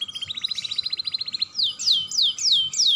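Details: Young canary singing to stimulate other canaries: a rapid rattling trill of about twenty quick notes, then five loud downward-sweeping whistles spaced roughly a third of a second apart.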